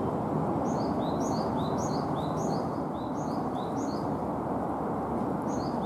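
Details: Great tit on a power line in Yokohama, Kanagawa, Japan, May 2015, giving an unusual call: high, thin two-note phrases dropping in pitch, about twice a second over steady rushing background noise.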